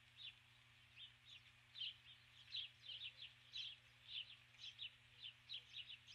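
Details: Female osprey on the nest at dusk, 21 July 2015, repeatedly calling for her mate who does not come; a long regular run of high, piercing chirps, about two per second, with a low hum behind.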